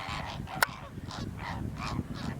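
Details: Feeding greater flamingos on a lagoon in southern France, flock calling: repeated nasal, goose-like honks about every half second, harsh and croaking, against steady wind rumble.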